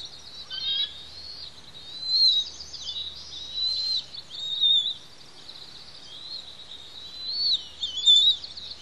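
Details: Two young bald eaglets on the Pelican Harbor nest, Santa Cruz Island, begging while a parent feeds them; high thin whistled squeals rise and fall in uneven bursts, several louder peaks, over a faint low hum.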